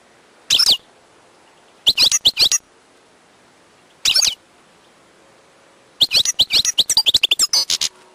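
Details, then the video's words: Song of a wild European goldfinch: separate short twittering bursts spaced by silent pauses, ending in a rapid, sustained sequence of bright chirps and liquid trills. "chant chardonneret sauvage/ تغريد حسون نار"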